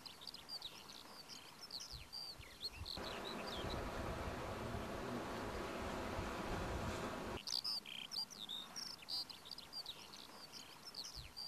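Eurasian hobby giving quick, sharp high notes in scattered bursts, broken midway by several seconds of loud rushing, buzzing noise.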